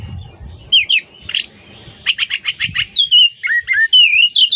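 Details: Kacer, the Oriental magpie-robin, in masteran song for tutoring songbirds: buzzy notes, then a quick series of about eight evenly spaced chips and looping whistled phrases, with faint low background rumble.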